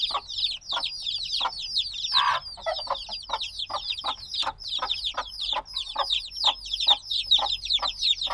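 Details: Several black chicks only days old chirp loudly, a flock of bright falling peeps crowding together nonstop, punctuated by short lower taps roughly twice a second; a soft low rumble lies underneath.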